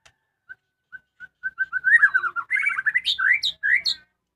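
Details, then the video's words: Caged white-rumped shama at home singing: a few spaced clear whistled notes quicken into a rich tumbling warble, ending with loud rising and falling whistled phrases. "suara merdu burung muray batu rumahan"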